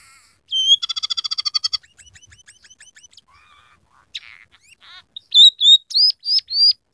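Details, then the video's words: Scaly-breasted munia in full song filled with canary, house sparrow and red siskin imitations: a rising whistle opens a quick ringing trill, then scattered soft notes and a run of loud, high, rising whistled chirps. "masteran burung emprit peking gacor isian suara kenari kasar"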